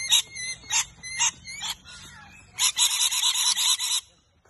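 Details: Rainbow lorikeets in a tree in Brisbane, Australia, fighting with two other parrot groups while looking for a new nest hollow: four spaced harsh screeches, then a rapid run of about eight screeches before fading.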